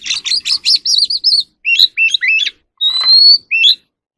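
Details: Wild oriental magpie-robin singing and dancing in the evening: a quick run of sweet whistled notes, then a rippling trill, short upslurred phrases and a long level whistle, with brief pauses between bursts.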